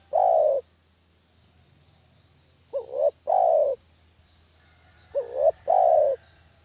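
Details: Spotted dove cooing as a lure sound for catching doves: one long coo, then two full phrases of a brief two-part note leading into a drawn-out falling coo, about two and a half seconds apart.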